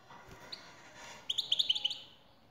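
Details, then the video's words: Male European goldfinch singing in reply to a female's call: a lone high note, then a quick run of about eight bright, liquid twittered notes packed into under a second. "حسونك سيغرد مع هده البثبثة Goldfinch singing"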